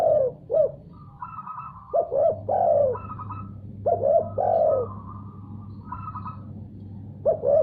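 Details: Spotted dove calling back in response to a heard call. It repeats cooing phrases, each with quick short notes and a long falling coo. These alternate with a higher, rattling, nasal note from another caller, over a constant low drone.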